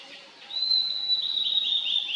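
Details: Wild Blue-and-white Flycatcher singing in a valley, 2023: after a soft lead-in, a long bright whistled phrase holds steady, then breaks into rapid slurred, slightly buzzy notes near the end.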